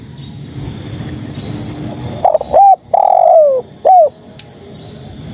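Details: After a quiet lead-in, a female spotted dove calls to males with one phrase: a stuttering opening, a short coo, a long descending coo, and a brief last coo.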